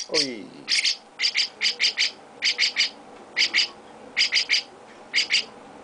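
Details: Young Chestnut-cheeked starling (mukudori) with its owner, giving high, sharp paired chirps, often doubled or tripled, repeated in quick bursts of about one per second, with a brief lower whistled note at the start.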